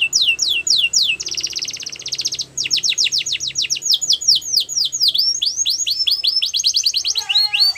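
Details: Wild yellow canary sings downward-sweeping whistles, a buzzy rolled passage, then a long series of quick, swooping repeated notes ending with a few softer, lower notes.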